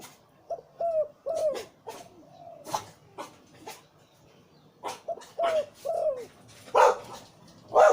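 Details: Deep-voiced zebra dove breeding male, Liu Tan style: arched, falling coo notes come in two rounds of three or four, separated by sharp clicks and knocks.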